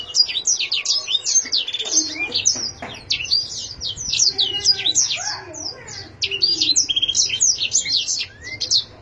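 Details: Caged canary singing a long, continuous song of rapid high twittering notes, trills and sweeping chirps, with brief pauses; faint low background hum throughout.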